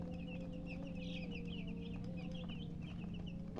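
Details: Baby chickens chirping: a steady stream of short, high, downward-slurred peeps from several chicks, repeated rapidly over a constant low electrical hum.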